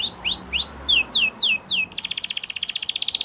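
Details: Song of a Belgian canary, opening with rising and falling whistled notes at a steady pace, then switching to a long, fast, even trill of high rattling notes that continues to the end.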